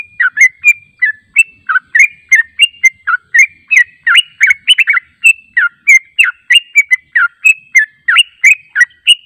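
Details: Rapid liquid warbling from a yellow-vented bulbul, recorded as a lure to prompt responses: unbroken series of short, slurred up-and-down notes, about three each second, lively and cheerful.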